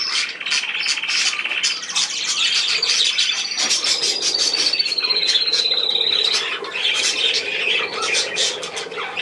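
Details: Budgerigars in continuous warbling chatter: dense, overlapping chirps and buzzy trills, with a thin whistled note that glides gently downward through the middle of the stretch.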